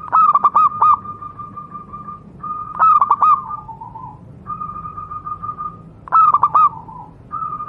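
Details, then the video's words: Zebra dove of a local wild Javanese strain, used to train other doves: fast bursts of clipped cooing notes alternate with long, even, sustained coos, followed by a lower drawn-out tone, the pattern repeating three times. "burung Perkutut lokal alam, suara untuk masteran perkutut anda"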